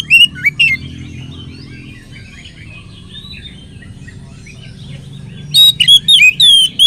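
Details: Oriental magpie-robin lure song showing off a rich repertoire; a few loud whistled notes, a stretch of faint warbling, then a fast closing series of piercing, looping whistles.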